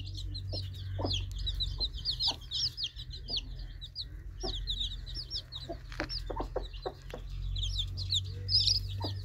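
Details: Flock of baby chicks peeping shrilly and almost without pause, interrupted by clusters of soft tapping sounds, over a constant low hum.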